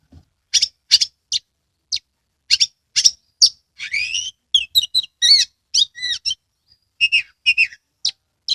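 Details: Caged Oriental magpie-robin singing as a lure to get idle birds singing; short sharp chip notes spaced about half a second apart, then a rush of buzzy, warbled and swooping whistles before the clipped notes return.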